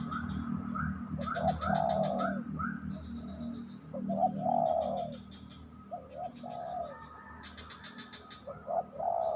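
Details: Spotted dove (tekukur) cooing in short rounded notes and brief phrases over a steady low hum, with bursts of high chirping from other birds scattered throughout.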